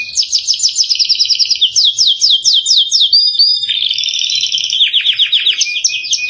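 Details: Canary song meant as training material for caged birds: quick high trills, runs of repeated descending slurred notes, a short sustained whistle, then further rolling trills and downward sweeps, clean with no other sounds.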